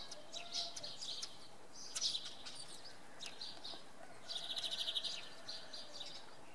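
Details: Common redpoll in evening fog at Oksywie, Poland, giving bursts of high, twittering chirps, a quick stuttering run near the end, against faint low environmental noise.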